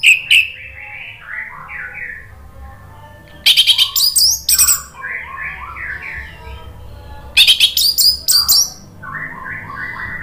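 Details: Orange-headed thrush lure in ngeplong style, meant to stimulate singing: soft, lower warbled phrases alternate with two loud bursts of rapid, high, sharp notes, over a faint low hum.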